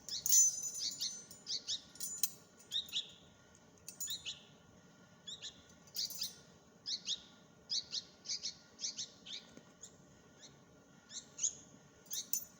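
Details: Bulbul chicks being fed give thin, high, squeaky begging calls in short bursts, several a second at times, with faint clicks and rustling between.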